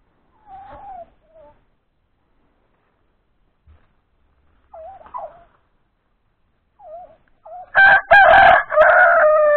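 A few soft, wavering mid-pitched calls come first, then a rooster bursts into a loud, harsh crow that runs to the end.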